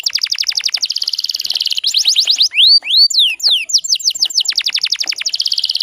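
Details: Female canary in breeding condition, kept in Indonesia to excite males into song, gives long rapid rattling trills broken by a few loud swooping rising and falling whistles, then trills again.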